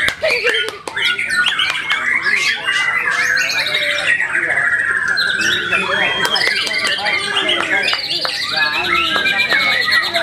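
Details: White-rumped shama singing a rich, varied stream of whistled phrases, with slurred notes near the middle and higher trilled, repeated figures later; sharp clicks and some background noise run through it.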